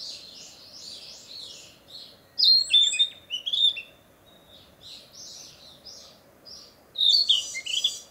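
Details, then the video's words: Territorial song of a Narcissus flycatcher returned for the breeding season: loud varied whistled and warbled phrases in two bursts, with quieter chirping from other birds between them in leafy woodland. "キビタキ!七色のさえずり[Narcissus Flycatcher]"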